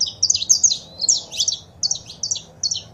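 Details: Female and male saffron finch sounds meant to fire up a pet bird's singing; dense bursts of high, sharp chirps in groups, briefly pausing before a final spaced series of clipped notes.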